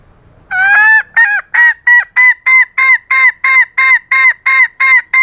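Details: Female green junglefowl calling to lure males, giving a steady series of about fourteen short, loud, honking notes, each with a slightly rising then falling tone, repeated roughly three times per second with no other sounds.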